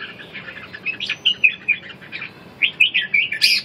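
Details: Red-whiskered bulbul heard in a 'ché' singing match meant to revive a bird's drive and vigour: a quick run of bright chirped notes, a short pause, then another burst of clipped warbling phrases ending on a high squeak.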